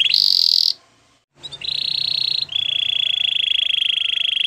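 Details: Canary song for training canaries: a loud high buzzy tour, a short silence, then long sustained rolling trills at a lower pitch, steady and evenly pulsed, over a faint low hum.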